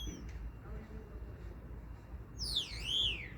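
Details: Common starling producing one bright whistled phrase near the end, dipping down and rising again in a wavy arc with strong overtones, after a quiet stretch.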